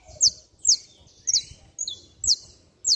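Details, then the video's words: Hard-singing saffron finch, a song for firing up rival saffron finches: six loud, piercing, high downslurred chips spaced about half a second apart, with a soft lower slur between them. "Canário da Terra Estralando Muito - Ótimo Para Esquentar Qualquer Canário-da-terra!!!"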